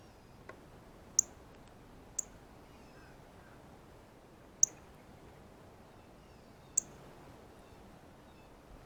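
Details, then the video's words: A lone male Northern Cardinal keeps up his feeding chirp while picking seeds off a banana at the feeder: five brief, piercing chips at irregular intervals, one faint, over a light hiss. "Cardinal 🐦Meets Banana - Feeding Chirp Sounds"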